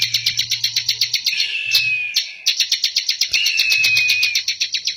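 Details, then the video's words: Bar-winged prinia, known locally as ciblek, singing diligently in Indonesia: a rapid, steady stream of sharp buzzy clicking notes, about four per second, with thin drawn-out whistles woven in and a low hum underneath. "Burung Ciblek Ngebren Rajin Gacor"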